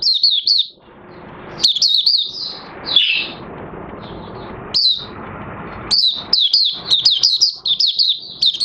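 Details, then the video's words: Oriental white-eye, 30 August 2022, new white feathers almost fully pigmented; scattered high twittering bursts with gaps of a second or more, building to a dense run of rapid chirps near the end. "Mata Puteh Raja Buka Sing"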